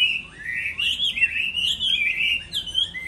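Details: A hwamei sings competitively in moulting season, giving a smooth, flowing run of clear whistles that wander up and down and barely break for three seconds.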